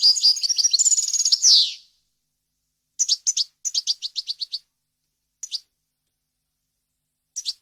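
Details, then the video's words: European goldfinch song for teaching chicks: an opening trilled phrase ending in a falling buzz, then a series of separate, evenly spaced sharp high chips after a pause. "غناء طائر الحسون ، صوت صافي وخالي من الاخطاء لتسميع الفراخ"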